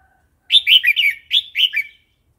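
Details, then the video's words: Red-whiskered bulbul wild song used to coach young and wild-caught birds: two linked phrases of quick, rolling, chortled notes, loud and clear against silence. "เสียงนกกรงหัวจุก เพลงป่า"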